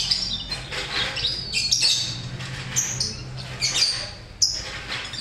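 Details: Colony-bred lovebirds: a flock's jumble of sharp chirps and short squawks, several birds calling at once over a steady low hum.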